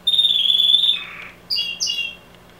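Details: A loud canary delivers a long, steady high whistled trill that drops in pitch, then pauses before two short sharp chirped notes, with a faint steady low hum behind.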